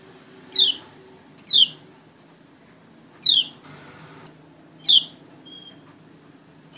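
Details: White-eye from Lombok/NTT in Indonesia, a pleci in lively ngalas style. Four sharp, high, downslurred chirps come singly about a second apart, with quiet gaps and a faint low background hum.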